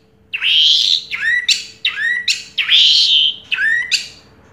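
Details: Orange-headed thrush, a first-place contest winner from 2022, singing loud slurred whistled phrases that rise then sweep down, alternating with short sharp notes, repeated steadily through the passage.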